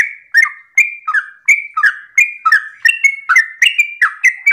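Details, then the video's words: Yellow-vented bulbul in rapid morning 'ropel' song, used as a lure so other bulbuls join in; a dense, unbroken chatter of clear, gurgling chirps, some notes higher and flatter, nearly three per second. "Pancingan trucukan gacor ropel pagi hari trucukmu pasti langsung nyaut"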